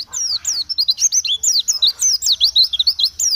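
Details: Oriental white-eye (pleci) singing a fast, continuous twittering song of high, sweet chirps and slurred notes that dip and rise, delivered in a rapid tumbling stream.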